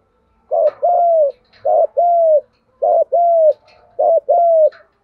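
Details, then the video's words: Spotted dove, 'gù vấy thúc' coo used as a lure to train wild-caught and decoy birds: four evenly spaced phrases, each a brief note then a drawn-out, gently falling coo, about one per second. "cu gáy giọng đồng gù vấy thúc cực căng"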